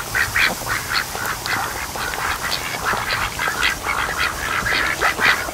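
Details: Flock of ducks lazing in the afternoon sun at a lake near the mouth of a creek, sleeping and mating between rests; a dense, overlapping chatter of short nasal quacks goes on throughout, many birds calling at once.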